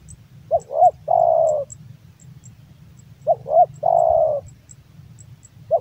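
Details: Male Javan spotted dove, a hobbyist's bird, cooing twice: paired short upswept notes leading into a long, full, gently sinking coo. A third phrase begins at the end, with faint ticking and low hum.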